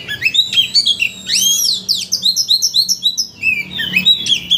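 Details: Oriental magpie-robin singing as a lure to raise another bird's excitement and draw out its full repertoire; loud, varied whistled phrases with swooping slurs and quick chirps, almost continuous.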